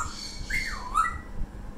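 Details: A pet Alexandrine parakeet at home, told by its owner to be quiet, gives a loud, wavering whistled squawk that rises, dips and rises again over about a second, with low room noise.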